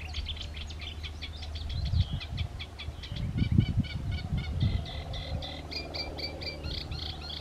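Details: A Eurasian reed warbler, hidden in the reeds, sings a steady, chattering run of churring notes, each repeated two or three times, over a heavy low rumble of wind or distant traffic.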